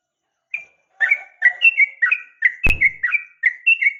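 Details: Female yellow-vented bulbul calling the male, used to train caged males: bubbly, slurred two- and three-note chirps repeated about once per second, with one sharp click midway.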